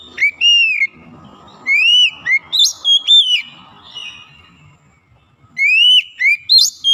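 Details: Oriental magpie-robin (kacer), once lazy to sing, now singing actively: bursts of bright, upslurred and arched whistles in quick groups, separated by pauses with faint low background rustle.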